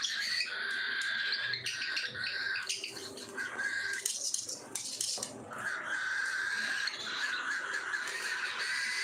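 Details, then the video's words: Cockatiels being fed keep up a noisy chorus of shrill, repeated chirps and screechy notes, with bursts of louder squawks and some faint rustling. "FEEDING TIME COCKATIELS"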